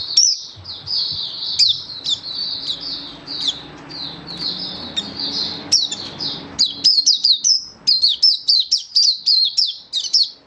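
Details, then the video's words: Oriental white-eye in song display, recorded 24 February 2023, delivering high twittering phrases of quick downslurred chirps. They break into a fast, evenly spaced run of sharp notes near the end, with a faint low hum early on. "Mata Puteh Happy Buka Sing"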